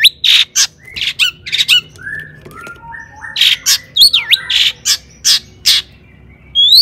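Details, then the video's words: Long-tailed shrike in vigorous song, played to rouse other shrikes, in the "toet toet" style: harsh squawky bursts mixed with clear whistles, a wavering slurred note, and scattered sharp high notes. "cendet gacor AMPUH TOET TOET PANCINGAN CENDET AGAR BUNYI"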